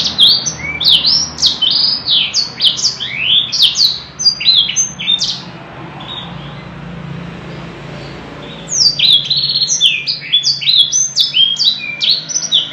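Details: Singing canary, kept as a pet, in a long, fluent song with ornate phrases: very high, rapid rising and sliding notes in dense bursts. The song pauses midway over a steady low background hum, then resumes just as busily.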